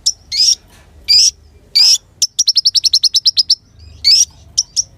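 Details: Sunbird in lively song, recorded to tutor other songbirds: three rising, sharply slurred bursts, then a rapid string of about twelve short high chips, followed by more rising slurs and isolated notes.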